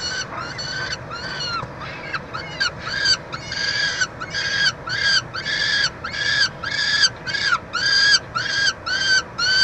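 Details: Peregrine falcons at the University of Montreal nest box, Canada, June 2023, during a chick feeding; rough, broadband wailing cries building from soft to loud, later coming in regular pulses roughly twice a second.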